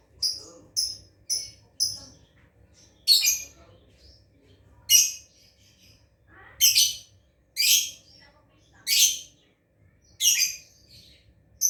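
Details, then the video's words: Lovebird learning to ngekek, its long chattering song: a few quick high chirps, then harsh raspy squawks spaced one to two seconds apart, with a faint low hum beneath. "Love Bird"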